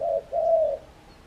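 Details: Spotted dove calling vigorously outside its cage: a low, soft cooing phrase of two notes, a short coo followed by a longer, slightly swelling one, then quiet.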